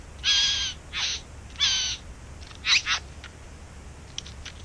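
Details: In a backyard where it nests, a bowerbird gives loud grating bursts with a whistled tonal edge: three strong rasps, then a quick double rasp, followed by faint ticking notes and quiet.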